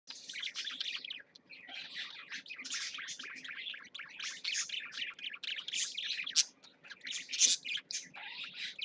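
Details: Two caged parakeets chatter steadily, with dense warbling bursts of high, scratchy chirps and squeaks running almost without pause; a faint low hum sits underneath.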